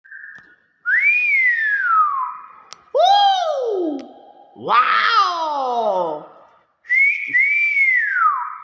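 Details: Nias hill myna giving loud, clear whistled phrases: four slurred notes, each rising then sliding down, spaced by brief silences roughly every two seconds, the last a doubled rising-falling whistle.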